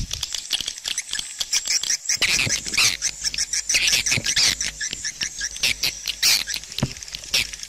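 Swiftlets chatter in a dense, continuous stream of high, dry chirps and clicking twitters from many overlapping birds, with no pause and no other sounds.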